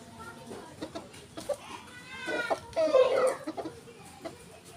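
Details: Pet village chickens at home: a few short clucks, then a drawn-out, strained harmonic squawk near the three-second mark, with faint clucking and background noise around it.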